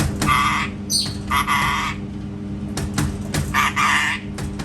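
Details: Parrot that makes cat sounds, recorded indoors, giving a run of harsh, noisy squawks in quick bursts, with one brief higher squeal among them and a low hum behind.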